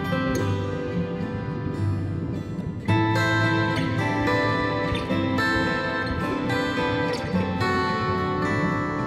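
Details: Strummed acoustic guitar music plays throughout, with no animal sound.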